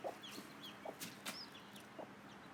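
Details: A hen clucks low and short three times, guiding her day-one chicks to food, while the chicks give scattered high, downslurred peeps.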